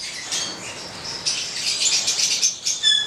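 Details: A red male and black female Stella's lorikeet, subspecies goliathina, give buzzy, high screeching calls that build in loudness, ending with a clear thin whistled note.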